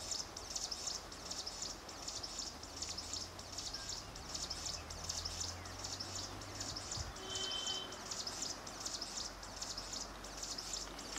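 Himalayan prinia giving high, dry, buzzy notes repeated steadily, a little faster than one per second, over a low background rumble with a brief thin whistle.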